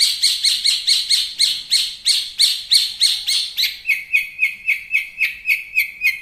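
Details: Champion long-tailed shrike, recorded as a master song: a fast, regular series of buzzy notes that shifts midway into lower, ringing, slightly buzzy notes repeated at the same quick pace.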